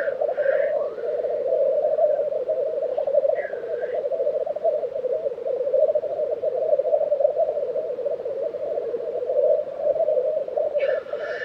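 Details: At a black grouse lek in Tiveden, Sweden, in April 2023, an unbroken chorus of rolling, pulsing bubbling dominates, with brief hoarse hissing sneezes at the start, around four seconds and at the end.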